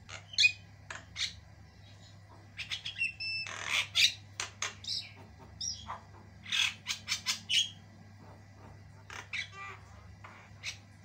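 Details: Intensely active white-eyed Javan myna delivering long, varied song: scattered clusters of clicks, harsh rasps and short whistles, with quieter pauses between bursts and a persistent low hum.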